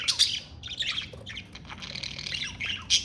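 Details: Pet budgerigar in continuous squawky chatter: raspy, buzzy notes mixed with sharp high chirps, ending on a loud squeak.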